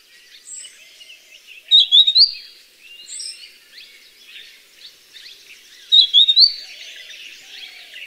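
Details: Wild grey-headed canary-flycatcher recorded in natural habitat: two loud phrases of three or four rapid, sweet, slightly rising whistled notes about four seconds apart, with a busy background of faint high bird chatter.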